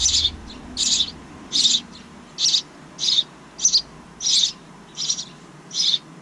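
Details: Nestling house wrens in a backyard bird house, second brood of the year, give nine raspy, high-pitched hissing bursts spaced roughly evenly, one every two-thirds of a second, with quiet low rumble early on.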